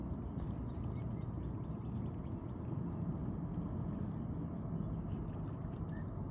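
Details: Steady low rumbling background noise, like a distant engine or wind, with no clear animal sound.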